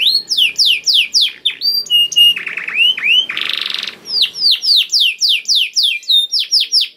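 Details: Canary singing as a lure to prompt other canaries to sing, with runs of falling whistled notes, short level tones, a harsh buzzy trill, and renewed quick descending sweeps.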